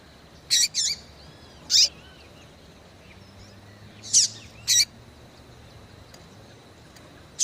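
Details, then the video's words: Female Yellow-bellied seedeater calling to stimulate males: short, sharp high chirps in clusters, a double note near the start, then single and paired chirps spaced a second or more apart over a quiet background. "fêmea de coleiro baiano chamando Muito Pra Esquentar coleiro baiano"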